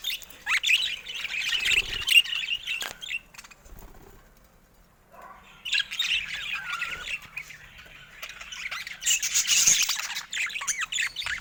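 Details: Caged budgerigars near a camera. Two long spells of grating, buzzy chatter and squawks, split by a quiet pause of about two seconds, with a few wing-like rustles.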